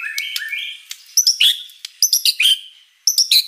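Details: White-rumped shama in full gacor song with many fill-ins: smooth whistled rising notes open, followed by loud bursts of sharp, high chirps and squeaky notes in quick groups.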